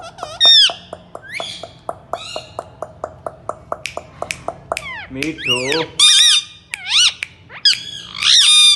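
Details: Indian ringneck parrot, a talking bird, makes a steady series of dry ticking clicks with a few squawks, then a low voice-like burst and several loud, long harsh squawks.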